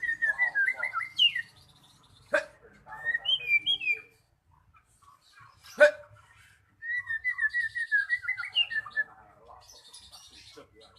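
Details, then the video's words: Singing magpie-robin used to coax quiet birds into song: bursts of rapid whistled warbling separated by silences and sharp clicks, ending with a long, tumbling whistled phrase. "Pancingan Burung Murai Macet Jadi Gacor"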